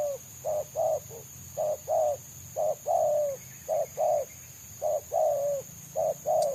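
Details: Loud, clear cooing during a trapping attempt on a wild Spotted Dove (tekukur) known for its 'selang nguku' song: paired short coos repeated about once a second, some ending in longer falling notes, over a faint hum.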